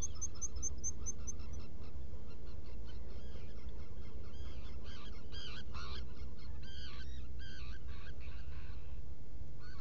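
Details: Black guillemots in a nesting burrow, Seal Island NWR, Maine, early morning of 20 June 2018, burrow camera: opens with a fast run of six very high piping notes, then many short whistled and twittering calls in quick bursts over a constant low hum.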